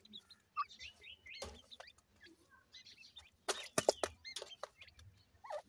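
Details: Playing partridge chicks utter scattered thin, high, hooked peeps and brief twitters, with pauses between bursts and a few loud clicking knocks and rustles.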